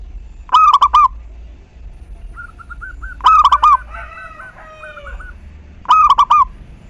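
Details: Singing local zebra dove used to coax other doves into song: three fast, stuttering coo phrases spaced about two and a half seconds apart, and a softer bird between them giving a run of short rising and falling notes.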